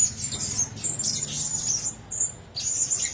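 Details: Caged Blue-crowned hanging parrots give quick bursts of high, squeaky, shrill chirps, with a short quiet gap before the calling resumes.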